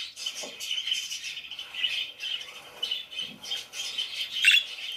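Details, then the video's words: Parakeets chirp and squawk: uneven bursts of high chatter rise and fall, ending in a loud, harsh squawking call. "PARAKEETS CHIRPING SOUNDS"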